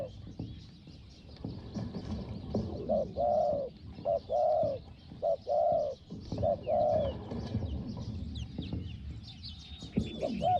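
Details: Spotted dove, decoy bird used to lure a wild target dove, giving soft hollow coos in a burst of about five notes mid-clip after a quiet start, over steady low background noise and faint high chirps.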